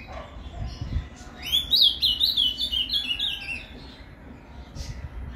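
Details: Paraná canto fibra song of an ultramarine grosbeak, played to excite a captive azulão: after a quiet start, a rapid, even run of clear, slurred whistles lasting about two seconds, then fading back to low background noise.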